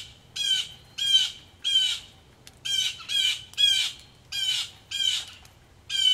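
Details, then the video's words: Blue jays, agitated, call loudly near a rainy Missouri farmhouse porch; harsh buzzy screams repeat roughly every half second, some doubled, standing out over faint dripping water. "there are some mad blue jays at 12:27"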